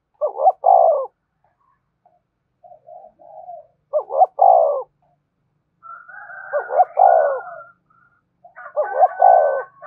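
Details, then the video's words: Spotted dove cooing to excite wild doves and pull them closer: four strong, low two-part coo phrases at steady intervals, with some higher cooing notes from another dove overlapping the later ones. "Tiếng chim cu gáy thúc bổi, bổi nghe rất nhạy gáy và về cội nhanh"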